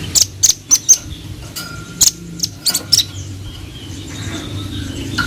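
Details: Velvet-fronted nuthatch giving scattered sharp, high chips, single and paired at uneven intervals over three seconds, then quiet background noise with a faint low hum.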